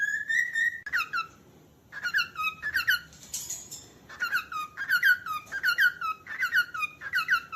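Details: Cockatiel calling indoors: loud, harmonic chirps sliding downward, given in quick bursts of two to four notes separated by short pauses, with a brief quiet gap near the start.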